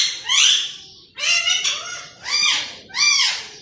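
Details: Pet green parrot speaking in a human-like voice: four loud, raspy, syllable-like calls with arched pitch contours, evenly spaced about every second.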